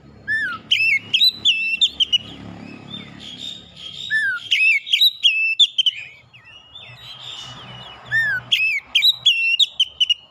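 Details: Oriental magpie-robin singing to rouse a rival. Rich, varied whistles and sharp chirps come in rapid loud bursts, with a pause midway before another energetic run of phrases. Soft low background noise is present.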